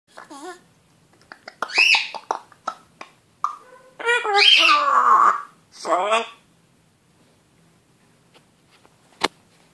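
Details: Pet African grey parrot, male, mimicking speech indoors, saying a drawn-out "saaan" after his own name: several short clicks, then voice-like phrases of varying pitch, one long rising-and-falling syllable, ending in a single sharp click.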